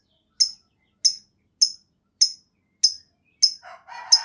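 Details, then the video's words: Lovebird from a lure recording to get other lovebirds singing: sharp high chirps spaced about every half second, with a lower rough scratchy sound near the end. "Tanpa Nunggu Lama Burung Lovebird Lain Bakal Langsung Ikut Ngekek Panjang!"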